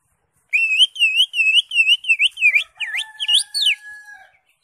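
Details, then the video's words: Greater green leafbird (cucak hijau) in lively full song: a rapid string of wavy whistled notes, about three per second, turning into sharp V-shaped swoops and a long steady thin whistle at the end. "CUCAK HIJAU (ijo) NGENTROK JAMBUL GACOR FULL ISIAN"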